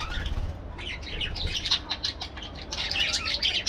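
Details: Several parakeets calling together. A quieter opening gives way to rapid bursts of sharp, high chirps and scratchy squawks that overlap continuously over a low background hum.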